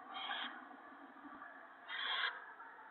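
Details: Owl nest during a gopher feeding for the owlets, evening of March 28, 2017: two harsh, breathy hiss bursts about two seconds apart, the second louder, over steady background noise.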